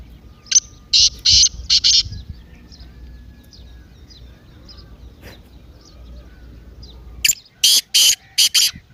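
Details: Partridge call used to excite a quiet caged partridge into calling: harsh, raspy broadband bursts in a quick group of four near the start, a long quiet stretch with faint low hum, then another rapid group of four to five bursts.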